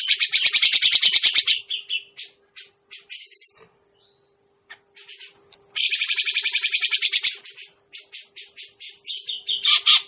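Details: Grey-cheeked bulbul trapping lure: two long, fast, grating chatter bursts separated by scattered short rasping notes and a near-silent gap, with a faint constant hum beneath.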